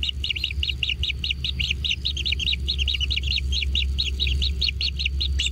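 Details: Fed at a natural nest, kingfisher chicks repeat high, sharp chirps in a fast, slightly uneven series of roughly two to three per second, over a steady low drone.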